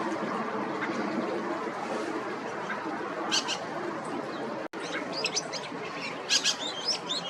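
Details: Dusky Thrush calling, with short, sharp high chirps scattered through the second half and one brief burst earlier, over steady broadband background hiss.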